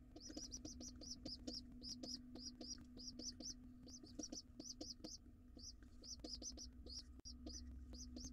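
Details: Wild pigeon nestling with its father at breakfast inside a nest box, giving a long run of shrill, slurred squeaks, roughly three per second, with brief pauses and a low electrical hum underneath.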